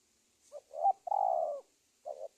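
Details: Spotted dove lure call for trapping wild doves, Indonesia: a single soft phrase of short notes leading into one long, steady low coo, then another note starting.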